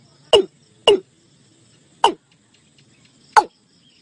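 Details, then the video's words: Watercock (cúm núm) lure call for drawing a flock into a net: four punchy, falling notes, two close together, then two spaced out, over a faint rumble. "Tiếng cúm núm (gà đồng) mới nhất gọi đàn vào lưới."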